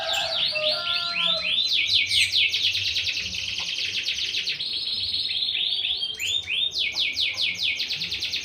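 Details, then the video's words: Canary kept by a rural breeder, continuous loud song of fast repeated high rolling notes and buzzy trills, shifting between phrase types every second or two, with low background noise. "Manuk ndeso#kenari"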